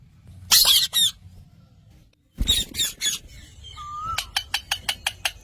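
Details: Green parrot making rough squawks in two groups, followed by a brief whistle and a fast run of short clicking chips.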